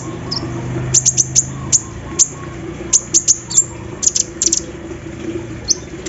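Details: Olive-backed sunbird in the morning dew, its song imitating an embroidery machine. Clustered, piercing high ticks come in bursts of two to four, with brief gaps between them. A low murmuring hum sits beneath.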